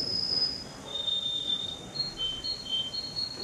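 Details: Male canary, entry number 10, singing at a canary competition in Rostov-on-Don, Russia, on 22 January 2011: long sustained high pure tones that shift step by step in pitch, over a noisy hall background.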